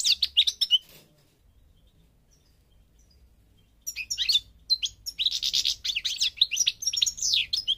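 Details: Parva goldfinch from Morocco in North Africa: a short twittering phrase, then nearly three seconds of silence, then a lively jumble of chirps and tinkling trills.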